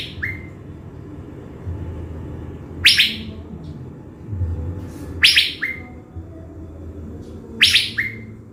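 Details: Caged decoy blue-winged leafbird, Bình Thuận, Vietnam. Three harsh rasping bursts, each trailed by a single clear whistled note, come roughly every two and a half seconds. An opening whistle and a faint low background hum are also heard.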